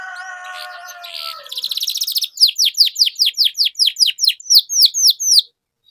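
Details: Domestic canary in full song, used as a lure to coax stalled canaries into singing again: a short buzzy trill, then a steady series of high, sharply down-slurred notes, about four each second, ending abruptly.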